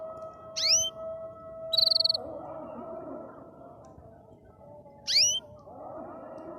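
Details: Three short canary phrases from a bird singing happily: a swooping whistle, a quick buzzy trill of rapid pulses, then another swooping whistle, spaced by pauses over a faint steady hum.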